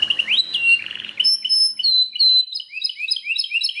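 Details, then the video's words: A Belgian canary sings a fast, high run of bright chirps, trills and rising whistled slurs, tumbling on with little pause. "O canto canário mais espetacular"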